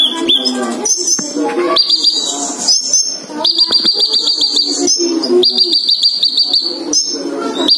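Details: Male and female sunbirds kept together, singing excitedly: high thin chirps and rapid buzzy trills near the top of the range, several bursts repeated, over steady background music with lower tonal notes.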